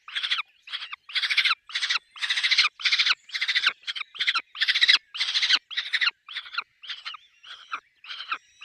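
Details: Peregrine falcon at the nest with chicks, a steady run of about fifteen loud, harsh, grating bursts, roughly two each second, fading slightly toward the end.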